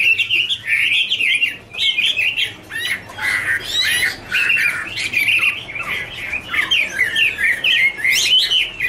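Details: Chinese hwamei singing in a duet while dancing and flicking its wings: loud, rich warbling phrases of looping whistles and rapid trills, continuous with brief pauses, some harsher notes mixed in.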